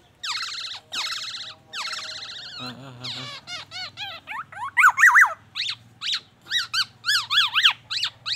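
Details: Black-naped oriole (kepodang emas) pouring out mimicked phrases, including magpie-robin song and an ambulance siren: bright, buzzy bursts, then rapid rising-and-falling siren-like whistles about twice a second, over a faint low hum.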